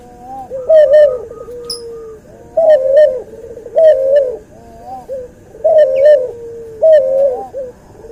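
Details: Training tutor sound of a hybrid cuhu dove from white albino puter and puter pelung: five rolling coos in eight seconds, each ending in a falling drawl, with faint higher calls between.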